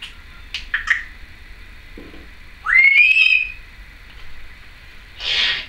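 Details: Female Timneh African grey parrot kept indoors, filmed in 2012 making assorted noises: short chirpy clicks early on, a rising then level whistle in the middle, and a breathy hiss-like burst at the end.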